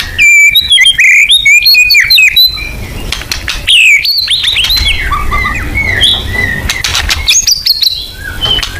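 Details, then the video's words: Full 'nembak' song of a white-rumped shama, lure material: rich, varied whistles and slurred warbles in quick runs, with high sharp notes and a fresh bright phrase near the end. "Pancingan AMPUH BONGKAR MATERI MURAI BATU FULL NEMBAK"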